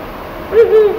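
Ural Owl giving two deep, soft hoots in quick succession, the second slightly longer, over a faint, quiet background.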